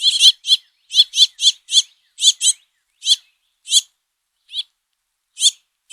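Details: Fledgling house finches begging as the male feeds them, a busy series of harsh, buzzy high chips, often doubled, coming several per second and then thinning out.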